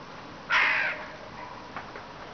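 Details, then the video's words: A Eurasian jay gives a single harsh, crow-like caw lasting about half a second, followed by faint softer notes against a quiet background hiss. "Сойка грачи и мяука / Jay caws and meows"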